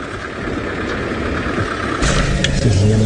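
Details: An idling vehicle engine grows louder under brief human speech, with no animal sounds.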